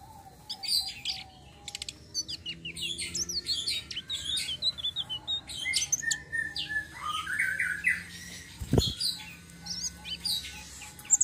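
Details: Long rolling song of a tledekan sitrun selendang biru flowerpecker, used as bait for other birds: continuous high chattering twitters and slurred notes, with a loud knock partway through.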